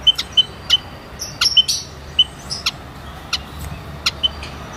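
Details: White-headed munia giving short, thin, high peeping notes, singly and in quick pairs, with sharp clicking ticks between them against a quiet background hiss.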